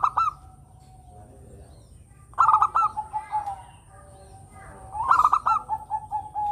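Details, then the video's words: Song of a local zebra dove, a vigorous sweet-voiced singer, played to draw in other birds: three phrases about every two and a half seconds, rapid stuttering coos followed by a trailing, lower purring trill. "Perkutut lokal gacor suara merdu yang begini bagus buat PANCINGAN"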